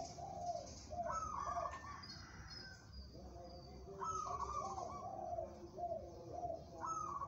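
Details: A contest-ready local zebra dove gives a fast run of rippling, pulsed coos. A longer low trilled passage alternates with higher rolling notes, over a faint steady background noise.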